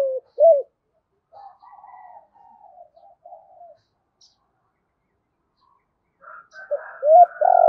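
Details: Spotted dove, a decoy bird calling to lure wild doves. Low, mellow coos open and close the sequence, with softer, quieter cooing between them.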